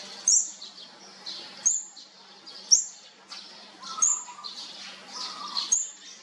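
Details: Young olive-backed sunbirds, fourth brood, at feeding time: sharp high chirps at irregular gaps, with breathy rasping notes and a brief lower whistle near the end.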